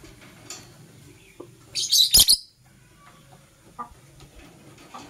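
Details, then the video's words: Morning sounds of a green and blue Personata lovebird: one loud, grating high chatter of rapid squeaky pulses lasting about half a second, with faint clicks around it. "Lovebird Singing and Chirping Sounds - Green & Blue Personata"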